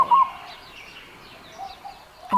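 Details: A Peaceful Dove in Far North Queensland rainforest gives a short, soft, mid-pitched coo, then repeats it about two seconds later; its hum is heard throughout the forest. Quiet forest background between the notes.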